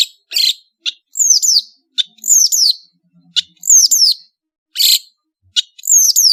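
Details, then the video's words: Long-tailed shrike from Madura in varied master song. Harsh single bursts alternate with high, quick downslurred whistled phrases, repeated about once a second with short pauses. "SUARA burung CENDET GACOR master full variasi | ASLI cendet MADURA GACOR DOR"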